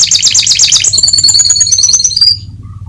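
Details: Atlantic canary, played to stimulate other canaries: a very high, rapid bubbling trill that smooths into a thin ringing whistle before fading out; low hum in the background.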